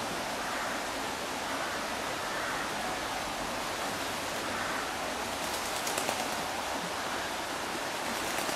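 Rushing water, like a stream or weir, fills the recording with a steady broadband hiss and no clear animal voice.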